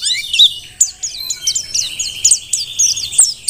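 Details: Wild-caught Merapi Dakun mountain white-eye in full song, used for tutoring other birds: a rapid, even series of short high notes, each dropping in pitch, delivered at about three or four per second after a sliding opening note.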